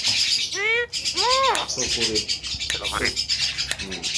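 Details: Javan myna, said to imitate coughs, laughter and a guitar, utters two loud arched nasal notes, then scratchy chuckling sounds and softer calls.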